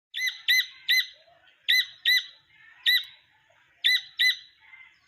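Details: Wild jungle partridge chick calling: rich, nasal, ringing notes given mostly in pairs, each pair separated by about a second of quiet, in an otherwise calm setting.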